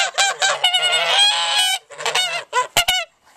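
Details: Rowdy farm geese honking loudly, a run of harsh, nasal honks with one long drawn-out blare near the middle, then shorter broken honks and a couple of sharp clicks at the end.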